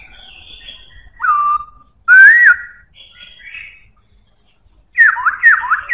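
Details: Black-throated laughingthrush singing in a strong voice: loud, clear whistled phrases. A long falling-then-level whistle is followed by a rising, swooping note, then a softer warble, and ends with three quick, loud slurred whistles in rapid succession.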